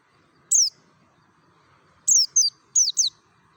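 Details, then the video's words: Forest-style lure of a mountain white-eye from Merapi, meant to stir other white-eyes into song: a single shrill downslurred note followed by two clusters of two or three quick, high sliding chirps. "SUARA NGALAS SAMPAI PARUHNYA SOBEK❗PANCINGAN PLECI DAKUN MERAPI"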